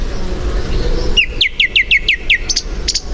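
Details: Song Thrush verse made of one clear, down-slurred whistled note repeated about eight times in quick succession, ending in higher, thin notes. A low rumble of background noise runs underneath.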